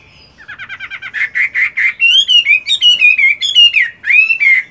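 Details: Chinese hwamei kept as a fighting bird, doing morning voice practice during its moult: a fast run of clipped repeated notes leading into loud, wavering whistles that rise and fall in a continuous melodic stream.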